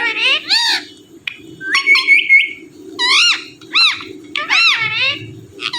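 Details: Indian ringneck parrot, a talking bird said to repeat "Mithu", giving a run of bright, harmonic squawking and whistled syllables, some rising and falling arcs and a steady high note near the middle, over a low background hum.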